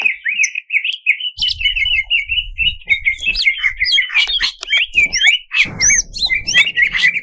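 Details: Greater green leafbird song aimed at rousing competition birds, a steady stream of trilled whistles turning into louder, sweeping slurred notes, over intermittent low rumbling.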